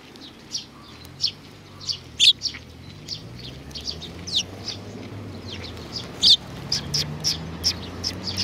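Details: Sparrows at a Tenmangu shrine, 31 May 2019: short, high, sharp chirps scattered irregularly through the recording, a few louder than the rest, over a steady low rumble.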